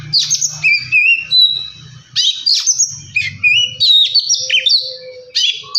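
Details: Oriental magpie-robin male singing to provoke a rival into song: bright whistled phrases with fast up-and-down slurs and sharp clipped notes, in bursts about a second apart, over a low background hum.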